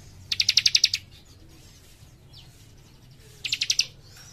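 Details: A young cikrak sings actively with tight, rapid 'nembak rapat' phrasing: a high, rattling trill of about eight fast notes, a quiet pause of about two seconds, then a shorter matching trill.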